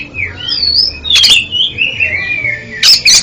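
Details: Oriental magpie-robin song meant as therapy for a bird that stutters: clear whistles gliding up and down, broken by a harsh burst near the start and two sharp rasping notes at the end.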